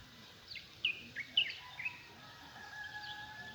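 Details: Wild birds singing on a morning: a quick series of short, bright, high chirps and twittering notes in the first two seconds, then faint scattered chirps over a steady background hiss.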